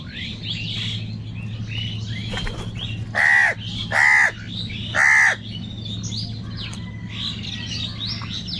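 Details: Three harsh, raspy crow caws spaced roughly a second apart stand out over a chorus of small birds chirping and a low background hum.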